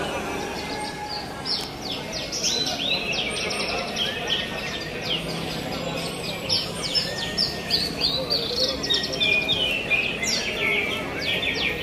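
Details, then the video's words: Javan bush lark singing at a songbird contest: runs of sharp, high chirps and slurred downward notes repeated rapidly, with a murmur of people talking throughout. "Kontes Kicau Branjangan Super Gacor"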